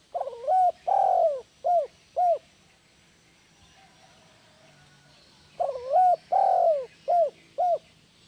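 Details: Spotted dove cooing, offered as a tutor sound for doves that rarely call; the same four-note phrase of broken start, long coo and two short coos is given twice, separated by about four seconds of near silence.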